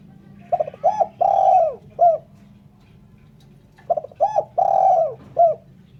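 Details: Spotted dove, locally called terkukur or derkuku, calling clean for use in luring birds; two phrases of soft, rounded coos, each a short stuttering start then a long drawn coo and a clipped final note, separated by a pause.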